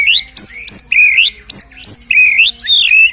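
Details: White-rumped shama song played to provoke a shama to sing: loud, rich whistled phrases with rising and falling notes, given in quick bursts about every half second.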